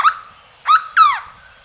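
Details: Three loud, resonant notes from a hooded berryeater in Caparaó National Park, Alto Caparaó, spaced roughly a third of a second apart, the last longer and sliding downward, in a calm natural setting.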